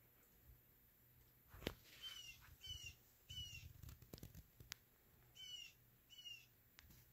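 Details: Blue Jay in a garden yelling at a cat sitting in a window, giving five harsh, rasping jeer calls in two pairs about a second apart, then a later pair, with scattered knocks and thumps.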